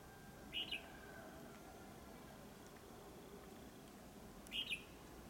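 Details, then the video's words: Red-whiskered bulbul, a competition (fighting) bird, recorded 30 November 2022, giving two brief, bright chirping phrases about four seconds apart over a steady background hiss. "chào mào đấu"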